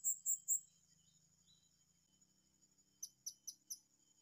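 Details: Blue-crowned hanging parrot, sought in the wild at a new spot: three sharp, very high chirps open the recording, then four short high notes come after a pause, over a steady insect drone.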